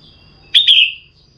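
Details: A single clear double chirp from a female red-whiskered bulbul, used to stir a male to sing: a short stab followed by a longer note tailing downward, against a faint steady high hum.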